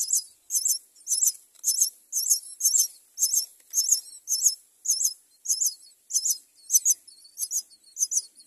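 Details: Common myna mother finding food for her chick; a high, harsh double-noted call repeated steadily about every half second throughout, with no other sounds.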